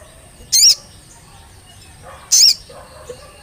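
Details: Olive-backed tailorbird, used as a lure to get birds singing: two loud, shrill, high whistled notes, each with a sharp up-and-down inflection, about two seconds apart, over quiet background hiss.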